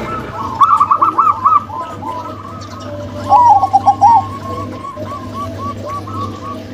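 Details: Zebra dove pair, a local female and a crossbred male: two short bright bursts of rapid bouncing coos, then fainter cooing trailing off over a steady low hum.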